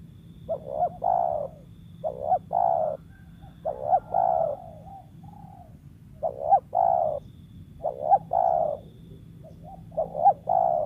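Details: Wild spotted dove, kept as a lure bird, giving repeated cooing phrases: short rising notes followed by a long low coo, each phrase about two seconds apart, over a faint steady hum.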